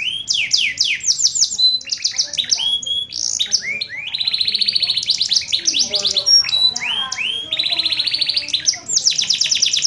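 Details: A champion canary, its song filled with phrases learned from the Sanger bird, sings a fast, continuous song of bright rolling trills and rapid down-slurred whistles, switching phrases every second or two.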